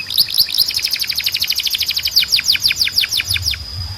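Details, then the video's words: Canary tutor song meant to teach young birds and encourage male canaries to sing: a rapid, steady train of bright chirped syllables, about three per second, then faster, sweeping down-slurred notes in a dense high-pitched trill. "You Won’t Believe How Fast Your Canary Starts Singing"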